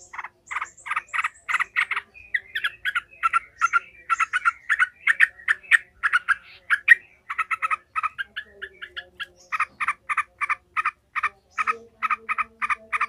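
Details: Agitated yellow-vented bulbul giving 'ngekek' chattering, meant to toughen other bulbuls for fighting: a long, nearly unbroken run of sharp staccato notes, several per second, grouped in short bursts, with a faint hum late on.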